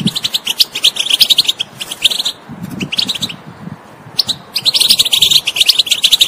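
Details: European goldfinch song meant to stimulate a silent bird to sing: fast liquid twitters and chirps in quick runs. A quieter lull runs from about 2.5 to 4 seconds, then lively twittering resumes and continues to the end.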